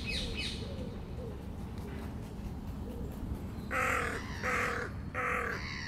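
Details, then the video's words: Young crows at feeding time: a few faint calls, then three loud, harsh, raspy caws in quick succession near the end, over a steady low background rumble. "Corneille / Crow Youngs feeding... or not."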